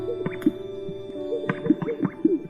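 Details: Male Greater Sage-Grouse in spring mating-season display in western North American sagebrush, where many males gather: hollow, wet popping notes from the inflated chest, repeated roughly every half second to second, over a steady musical drone.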